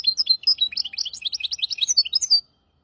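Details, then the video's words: Song of a caged hybrid finch used to teach goldfinches and canaries: quick high chirping and twittering notes in a lively two-and-a-half-second phrase, then silence. "تغريد رهيب طائر الهجين ميسترو حفاضة ويداني لتعليم طيور الحسون والكناري بدون أخطاء"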